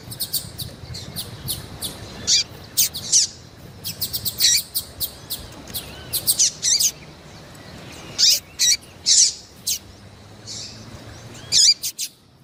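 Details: Female rusty-collared seedeater calling to stir up a male, as used by breeders for song tournaments in Brazil: rapid high chips and short sharp notes, some in twos and threes, over faint background hiss.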